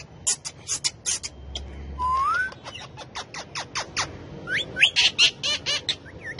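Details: Pet male Rose-ringed (ringneck) talking parakeet chatter: a quick run of sharp clicks and chips, a rising whistle, then more chirps and several bending, wavering whistles.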